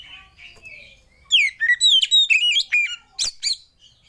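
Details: Oriental magpie-robin lure song for coaxing other birds to sing: soft warbles at first, then a loud run of swooping whistles and quick trills, ending in sharp clicking notes.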